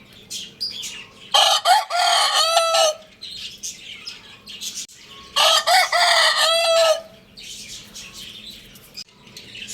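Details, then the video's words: Lohmann Brown rooster crowing twice, each crow a loud harsh stuttered opening followed by a long drawn-out tone that drops at the end, about four seconds apart, over steady high chirping of small birds in the background. "Roosters Crowing Sound Effect"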